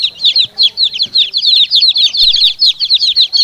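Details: Chicken chicks and hen answering each other. A dense run of high, shrill cheeping notes, about two or three a second, with only faint low sounds beneath.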